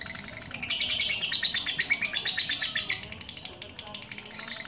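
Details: Caged lovebird singing at length after one blowing treatment by a handler from Pucakwangi, Pati: a long run of fast, chattering high chirps, densely repeated, with a human puff of breath just before and faint background noise.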